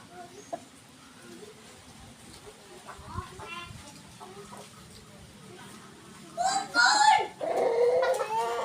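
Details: Kept Indonesian village chickens (ayam kampung): near-quiet ground noise with faint scattered clucks, then loud harsh squawking and clucking bursts over the last two and a half seconds.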